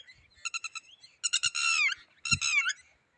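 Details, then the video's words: Red-wattled lapwing calling loudly: a quick burst of four sharp, ringing notes, then two longer strident phrases ending in a falling slur, with a few soft low thumps underneath. "bird sound Red wattled"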